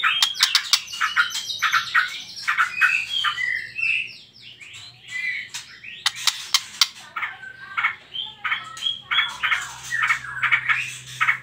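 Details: White-rumped shama trotol lure song for provoking other birds to sing: varied whistled phrases and sharp chips, a short quieter pause midway, then softer scattered notes.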